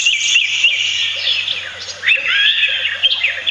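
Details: Philippine pied fantail near its nest in a backyard in Marilao, Bulacan, Philippines, a territorial garden bird, gives a steady, pauseless stream of high squeaky chirps and short rising-and-falling whistled notes in busy chatter.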